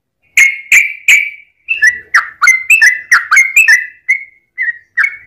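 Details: Yellow-vented bulbul giving a long fighting song, used as a lure to provoke other bulbuls: three loud slurred whistles, then a rapid run of bubbly, chirping notes that rise and fall in quick succession.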